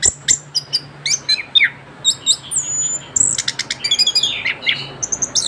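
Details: Orange-headed thrush, a young bird that has just finished moulting, in continuous 'ngerol' song: sharp high clicks, a long falling whistle, then dense bursts of varied chattering notes over a low background hum.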